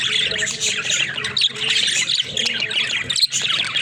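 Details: Pet budgerigars, a group of talking budgies in daily life, keep up a dense, continuous high warbling chatter of squeaks and chirps, with brief dips in loudness around mid-clip.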